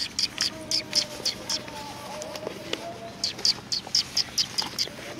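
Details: Sparrows greeting arrivals at a community hall on 16 July 2020: two bursts of short, sharp, high chirps repeated in quick succession, with a quiet pause between them and faint low tones in the background.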